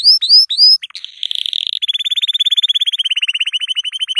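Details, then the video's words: Yellow canary singing, a recording used for teaching young canaries to sing: three quick rising whistled notes, a brief buzzy roll, then a long, very fast, even trill of clipped repeated notes that runs to the end. "أقوى تغريد كناري أصفر للتسميع صغار الكناري"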